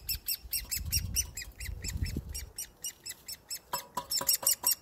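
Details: Great spotted woodpecker chick, hand-fed by people after its parents disappeared, 30th May 2020; rapid run of harsh, high, chattering begging notes, about four a second, with low rumbling handling noise early on.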